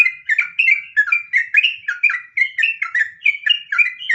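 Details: Sooty-headed bulbul, trucukan, in the rapid nggaruda ngropel singing style: a continuous stream of bubbly whistled notes, each bending up or down, about four per second, with sharp clicky tops and no other sounds.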